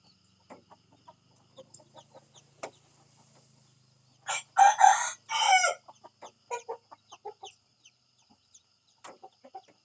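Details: In the morning a rooster gives a short, strained crow in two loud bursts. Soft clucking and ticking sounds come before and after it.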